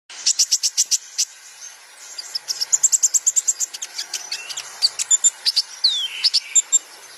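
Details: Kolibri ninja, a sunbird, singing as a training recording for other birds: rapid bursts of very high, thin, sharp chirps repeated in quick series, with trills and short whistled slurs in between.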